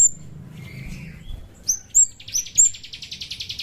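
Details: A chestnut-capped thrush lure sound for getting birds to answer: a high whistle, a lower hoarse note, then a run of sharp upslurred whistles leading into a long buzzy pulsing trill.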